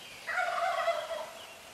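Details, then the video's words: A neighborhood wild turkey gobbling at 4:45 in the morning from a few feet away: one rough, rolling gobble of about one second, with stacked bands sliding down, heard over quiet background hiss. "Turkey Gobbling Good Morning 0445 AM"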